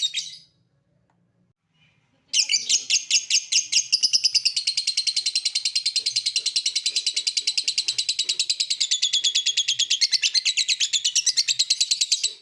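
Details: Lovebird 'ngekek': a brief high call, two seconds of near silence, then a loud, sustained, fast-pulsing high chatter lasting about ten seconds without a break.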